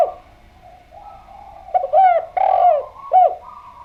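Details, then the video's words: Spotted dove singing as a lure to get other doves calling back. After a faint opening, it gives a short coo, a long drawn-out coo and a final curved coo, mellow and low, with a soft tonal hum behind. "Enak Banget Suara Derkuku Gacor Ini, Putar Saja Langsung Nyaut"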